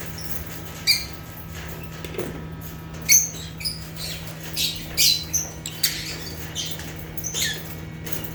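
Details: African lovebirds (Agapornis) calling naturally: scattered short, piercing chirps and squeaks, some clear and whistled, irregularly spaced through the clip, with a steady low background hum.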